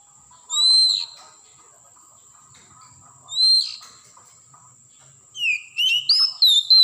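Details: Wild forest Oriental magpie-robin: two slurred rising whistles spaced apart, then a quick burst of varied, upslurred and downslurred whistled notes near the end.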